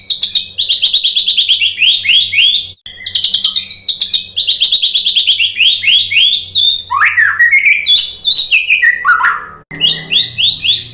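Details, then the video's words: White-rumped shama song for provoking combative males: rapid high, repeated chattering trills in rolling phrases, later sweeping downward slurred whistles, with a faint low hum beneath. "SUARA MURAI BATU bikin EMOSI FIGTHER jadi NYAUT GACOR"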